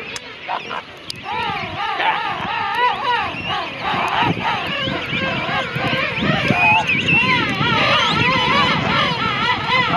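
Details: King penguin colony at Gold Harbour, South Georgia: dense chorus of many overlapping warbling, trumpet-like calls wavering up and down, over steady low rumbling of wind and surf.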